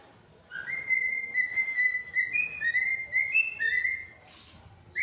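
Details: Pet cockatiels whistling indoors: a sustained series of clear whistled notes with steady and stepping pitch changes, followed by a short noisy rustle and a final rising whistle.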